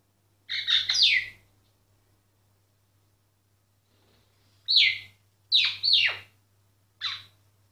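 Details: Singing myna, recorded quietly so the bird kept going: a loud double harsh note, a long silence, then a burst of three downward-slurred squawky whistles and one shorter final note.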